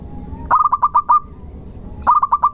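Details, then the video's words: Zebra dove of local stock singing a lure song described as insistent at the start, melodious in the middle and long at the end. A quick run of staccato coos with a held final note, then a second phrase begins. "irama Tembakannya ngotot di awal panjang di belakang merdu di tengah pancingan Perkutut Lokal Gacor"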